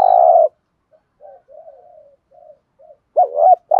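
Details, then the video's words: Spotted dove 'thúc gù' cooing for stirring up decoy birds and training lures: opens on a long buzzy coo, then several faint soft coos, then a loud wavering two-part note and a renewed buzzy coo. "Tiếng chim cu gáy thúc gù bài bản dùng kích bổi và tập mồi hiệu quả"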